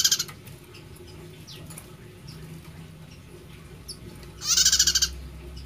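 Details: A loud, grating trill of quick even pulses from a prinia whose voice is called unique, preceded by the tail of an earlier burst and several thin, high downslurred call notes, over a low steady hum.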